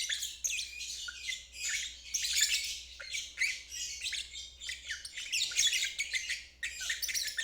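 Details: Lovebird ngeriwik trill used to coax stuck birds and young fledglings into learning it; rapid harsh chattering phrases in quick succession, high and buzzy, with brief gaps between bursts.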